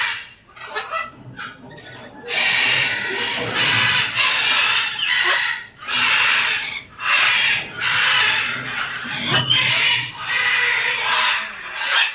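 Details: An eclectus parrot that has laid an egg gives loud, harsh, honking screeches in a rough series of one-second bursts with brief pauses, after softer indistinct noises.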